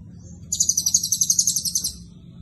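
Blue-crowned hanging parrot giving a very high, thin run of about fifteen quick, squeaky notes lasting under two seconds, over a faint low hum.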